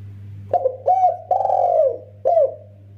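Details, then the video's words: Spotted dove calling between male and female: one cooing phrase of two brief coos, a long vibrating drawn-out coo that falls away, then a closing clipped coo, over a constant low electrical hum. "suara rapat merdu mersik untuk panggilan jantan dan betina"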